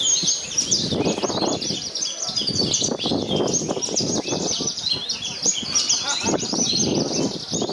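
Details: A Javan bush lark at a songbird contest in Purworejo, where it took first place despite strong wind, pours out a rapid, continuous stream of high, scratchy chirps and trills, over gusty wind rumble and faint voices.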